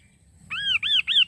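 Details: Three loud, clear arched whistles from a Kaso kaso bird, each rising then falling, given in quick succession after a brief near-silent pause.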